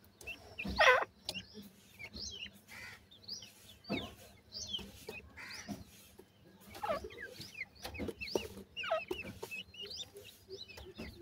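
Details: White francolin chicks at feeding time: continual small high-pitched peeps and chirps, a loud scratchy cluck near the start, and intermittent clicks and taps across the recording.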